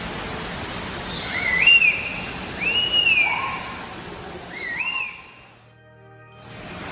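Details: Laughingthrush of the genus Trochalopteron giving clear whistled phrases, each sliding up then down, in three spaced notes, one lower-pitched. Faint background hiss.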